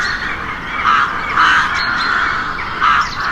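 A crow gives harsh, hoarse caws about every half second to second, over a steady wash of background noise.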